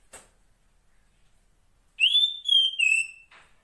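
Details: Female Oriental magpie-robin in the wild calling to the male: after a brief click and silence, three loud sustained whistles, rising then steady then dropping slightly.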